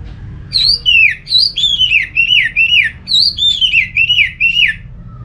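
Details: Orange-headed thrush song played as a lure to make other thrushes of any kind sing along: bright slurred whistles that sweep down, each phrase about a third of a second, given in a fast varied run with a faint low hum behind.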